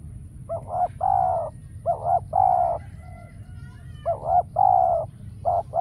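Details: Spotted dove decoy calling during trapping, used to lure wild doves. It gives low, hollow cooing phrases: short doubled notes followed by a longer coo, repeated in groups, against a soft low background hum.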